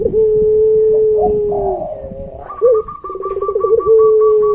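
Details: Barbary dove of the puter pelung kind, a pet bird recorded as training material for other doves. A long, level, low coo dips at its end, then a short upturned note. Rapid pulsed cooing follows, with a brighter tone above it.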